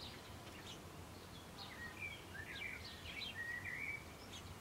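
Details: A house sparrow chick, sitting in the middle of the food, gives rapid, thin chirps, high and uneven, several times a second over a steady background hiss while its mother feeds it.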